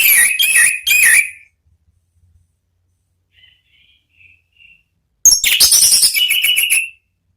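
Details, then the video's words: Anis merah, or orange-headed thrush, giving ngeplong song for bird therapy: a short, rich whistled phrase, soft thin notes in the pause, then a long, loud run of sweet, varied whistles. "MEMANCING ANIS MERAH BUNYI NGEPLONG ¦ TERAPI KICAUAN"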